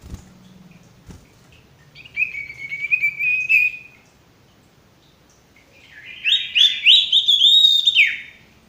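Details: Male ashy tailorbird, sung as a training song for birds that are stressed or not singing: two phrases of rapid, bright, rolling whistles separated by a short silence, with a couple of knocks at the start.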